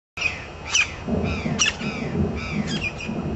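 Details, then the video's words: Campo flicker filmed in a city park in Brasília, Brazil; a few loud, harsh squeaky notes sliding downward at irregular intervals, with low background rumble. "Pica-pau-do-campo (Colaptes campestris) em Brasília, Brasil"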